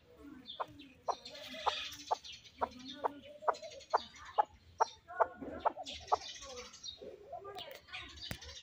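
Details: Chukar partridge kept as a fighting bird, calling in a series of clucking notes about every half second, with bursts of background noise and rustling.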